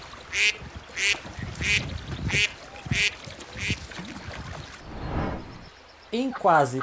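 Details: Little ducks quack regularly, about one call every 0.6 seconds for five calls, followed by other sounds and a final burst of louder, rising calls.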